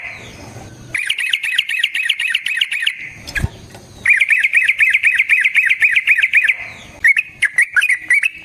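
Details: Yellow-vented bulbul long fighting song for luring and training: fast rattling bursts of clipped whistled notes, each burst about two seconds long, separated by short quiet gaps with a single sharp click.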